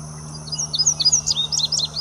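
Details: Singing second-year male indigo bunting, recorded 8 May in West Baton Rouge Parish, Louisiana: a hurried phrase of high, thin, slurred couplets, ending in quick doubled notes, with a faint steady hum beneath.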